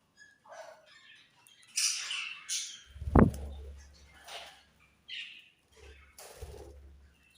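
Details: Budgies, called Australian budgie parrots, chirping in short raspy squeaks and twittery bursts, with one sharp knock partway through and dull low bumps between calls.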